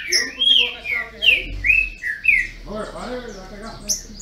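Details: Captive green-winged saltators in Brazil compete in song. Several loud, clear whistled slurs come in quick succession, then quieter mixed sounds follow with a low background rumble.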